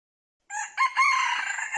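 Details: Crowing red junglefowl decoy for trapping: a harsh crow starts after half a second of silence. A short first note and a second burst run into a long, strong, wavering note that is still going when the recording ends.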